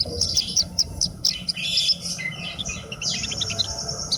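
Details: High, quick chirping from a Horsfield's bush lark kept as a hobby bird, with sharp clipped notes and a bright, buzzy trilled phrase near the end, over faint background noise.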